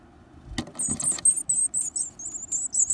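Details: Growing varied tit chicks gobbling big insects: after a few clicks, short high sizzling call bursts repeat about three times a second, then run into a steadier buzz.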